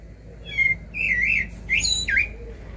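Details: Common blackbird singing live: four short fluty whistled phrases in under three seconds, some sliding downward, with thin twittering notes above them and a low steady hum underneath.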